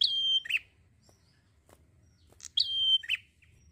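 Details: Two matching phrases from a prinia in full song, each a sharp upward note running into a steady whistle, then a lower grating note; quiet gaps between them with a low background rumble.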